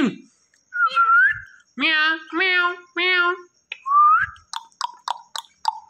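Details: Indian ringneck parakeet talking and whistling. Rising whistled slurs alternate with three loud buzzy harmonic syllables, then a quick series of short, sharp clicks and chirps.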